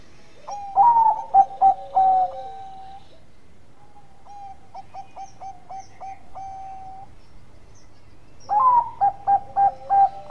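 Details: Zebra dove of the Bangkok strain in full bekur song meant to provoke rival birds to answer. Loud phrases of rapid, evenly spaced ringing coos after a brief upslurred whistle, with a softer run of similar notes in between.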